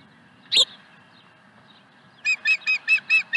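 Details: Osprey at the Dunrovin Ranch nest, 5 May 2020, as the fourth fish arrives: a single sharp note, a quiet gap, then six clear whistled chirps in quick, even succession.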